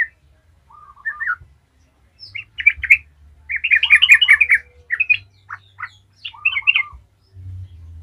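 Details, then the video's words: Yellow-vented bulbul giving bubbly, chattering phrases of quick liquid notes in short bursts every second or two, over a faint low hum. "Trucukan gacor ngalas ahlinya bikin trucukan lain kepanasan langsung jadi gacor ngalas"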